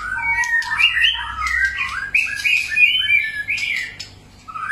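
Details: White-rumped shama singing a varied song of many voices, used to stimulate another shama to sing: continuous rich whistled phrases rising and falling, with quick sharp notes between them and a low hum underneath.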